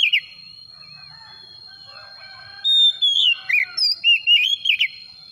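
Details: Oriental magpie-robin (kacer) song used as a lure to set a reluctant bird singing. Quiet faint chatter for over two seconds, then a loud clear whistled phrase of sliding notes and short rising-falling slurs near the end.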